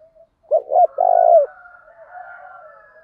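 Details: A spotted dove kept as a lure bird, 'thổ đồng' voice type, coos to provoke fighting. Two quick, rounded notes lead into a drawn-out, throbbing coo. Faint, thin, higher tones linger afterward.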